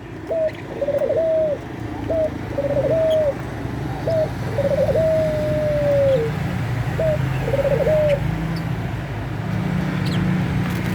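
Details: Eurasian collared dove (puter pelung) wanting to mate: repeated coo phrases, each a quick upslurred note then a rolling trill, one stretched into a long descending drawn-out note, over a steady low hum.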